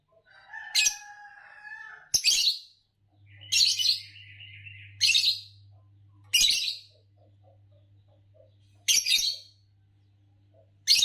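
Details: Fischer's lovebird calling repeatedly, a harsh shrill chirp roughly every one and a half seconds, some joined by wavering whistled or buzzy tones, over a faint low hum.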